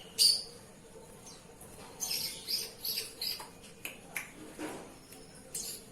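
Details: Oriental magpie-robin singing during bathing: one sharp high note, then scattered bright chirps and short warbled phrases mixed with brief splashy bursts, with quiet gaps between.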